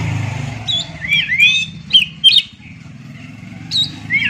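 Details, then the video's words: Oriental magpie-robin singing: quick swooping whistles and sharp chipping notes in two clusters, then a later short burst ending in a rising slur, with a low engine-like rumble underneath. "Jamin Kacer Bisu Langsung Gacor Dengar Suara Asli Kacer Ini"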